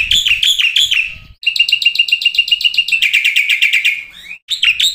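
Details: Black-winged starling singing on a lure track for provoking starlings: scratchy rising phrases, then a long even run of rapid buzzy pulses that slides downward, ending with a brief upward whistle.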